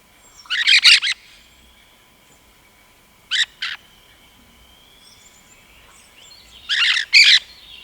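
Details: Rose-headed parakeet giving harsh, shrill screeching notes in three bursts, a tight cluster of raspy squeaks at the start, a quick pair mid-way and another doubled burst near the end, over a steady thin whistling hum.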